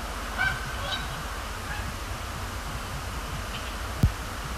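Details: Thursday-night Canada geese at Sapsucker Woods Pond, Cornell Lab of Ornithology, 26 October 2017, during fly-overs and splash-downs; a couple of short honks early, then fainter ones later, over low background rumble and a single knock.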